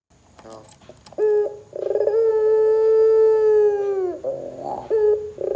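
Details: Energetic 'gacor' Barbary dove, played to spur other doves into calling: a few quiet clicks, then a rolling stutter and one long, level, low coo dipping at its close, followed by shorter notes.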